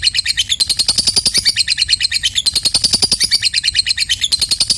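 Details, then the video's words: Lovebird in full ngekek, a long chattering song used to stir quiet lovebirds into calling; rapid shrill pulses run on without stopping, rising and falling slightly in loudness. "SUARA BURUNG LOVEBIRD || PALING JITU UNTUK BURUNG LOVEBIRD PAUT MACETAN SEMULA DIAM IKUT NGEKEK"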